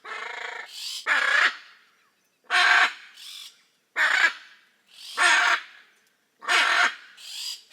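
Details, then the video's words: Hyacinth macaws giving loud, harsh, grating screeches in short bursts, about six calls in under eight seconds, some doubled with a brief gap, with quiet pauses between them. "The raucous sounds of Hyacinth macaws"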